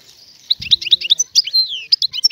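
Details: Free-living Algerian European goldfinch singing: after a quiet start, a rapid run of bright tinkling, twittering notes with short buzzy slurs and a brief descending whistle, all high-pitched, plus faint low rumbling.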